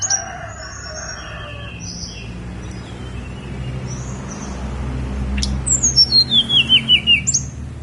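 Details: A Snowy-browed flycatcher sings on Mount Songgo Langit. Soft, scattered high notes lead to a loud cascade of about eight thin whistled notes descending steadily in pitch, then a final high note over a low background hum.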